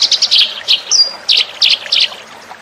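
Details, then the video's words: Eurasian tree sparrow lure call with separate loud, sharp chirps in small clusters and a single thin, high whistled note in the middle, then short gaps between the chirps. "suara pikat burung gereja"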